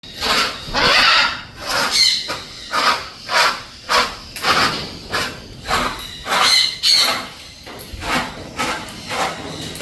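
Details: Pet blue-and-yellow macaw kept as a hobby bird, giving a long series of loud, harsh, raspy squawks about every half second, some rising, indoors with a slight room echo.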